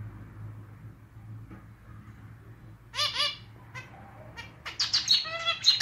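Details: Pet male zebra finch with a clarinet-style song; after quiet hum, nasal harmonic notes burst out near three seconds, then a denser run of buzzy stacked notes at the end.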